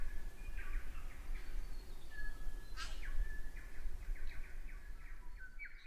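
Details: Male tui in a garden in New Zealand, returned after the summer, producing a series of short clipped notes, a loud snapping click near the middle and a quieter run of repeated chips, all over strong low-pitched background noise.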